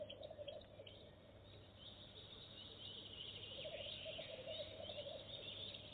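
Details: Goosander visiting a nest box for the first time and laying eggs immediately: a rapid, rattling pulsed chatter at the start and again later, over continuous hiss.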